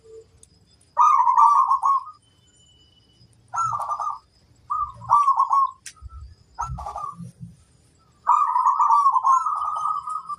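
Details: A local perkutut, or zebra dove, praised for its big voice, repeats bubbling trilled coos every couple of seconds, with a long rolling final phrase; faint low thumps sound between phrases.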